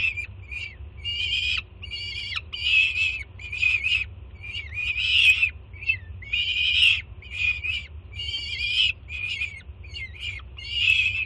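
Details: Wild young peregrine falcon, Jersey City, June 24 2017, screaming as its mother arrives with breakfast; a continuous string of hoarse, harmonic shrieks of varying length, some wavering, with a steady low background hum.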